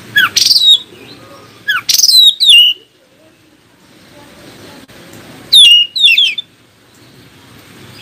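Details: Oriental magpie-robin song intended to draw other magpie-robins into answering: two bursts of high, sweeping whistled notes with falling pitch, separated by a few seconds of quiet background.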